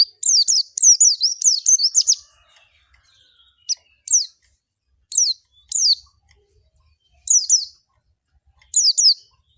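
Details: Pleci, the Javan white-eye, opens with a two-second burst of high, slurred chirps, then gives short clusters of two or three thin, downslurred notes roughly every one to two seconds against silence.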